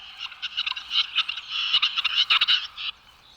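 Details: Male Western Capercaillie in a Serbian forest giving his mating display call to woo hens, a dry, scratchy run of rapid clicks and rasping, grinding notes for about three seconds, with little else in the background.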